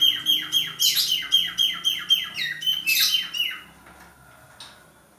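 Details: A male budgerigar in breeding condition chatters a steady series of quick downward-slurred chirps, roughly four each second, with a few louder scratchy notes, before fading into near silence at the end.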